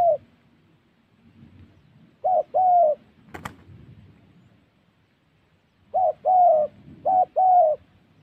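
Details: Spotted dove calling during trapping in Gia Lai, Vietnam's wild Central Highlands forest: hollow, low coos in a short-then-long pair, a pause, then two more pairs in quick succession over a faint low rumble and one sharp click.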